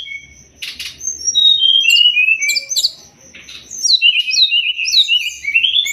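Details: Sumatran leafbird singing, recorded for songbird training: a buzzy burst, then long descending whistles, a short pause, and a lively stretch of rising and falling warbled whistles.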